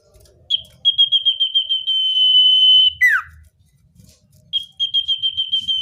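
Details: Wild-bird lure of a common iora in natural voice: a series of rapid pulsed whistles merges into a long unbroken high tone, snaps down in a falling slur, then pulsed notes start again.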